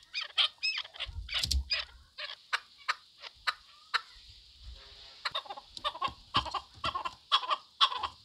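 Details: Chukar partridge giving rapid clucking chuck notes in an uneven run, some in quick pairs, others spaced out, over a faint steady hiss with occasional low bumps.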